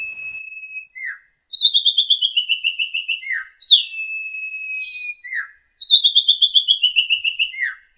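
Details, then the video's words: Asian pied starling (jalak suren) singing long and vigorously, a song for training young birds. A long steady whistle, then a falling series of rapid trilled notes, with short chirps. The pattern repeats twice with brief pauses. "Suara burung Jalak Masteran Gacor"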